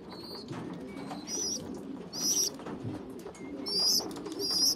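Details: Young pigeons, a poorly developed youngster feeding bigger, well-developed ones, give thin high squeaks in short bursts over a low murmuring coo band, with rustling throughout.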